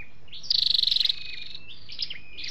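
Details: Flowerpecker calls from a lure file with male and female voices, used for trapping or exciting a caged bird: one high trill of about a dozen quick pulses, then soft thin slurred notes.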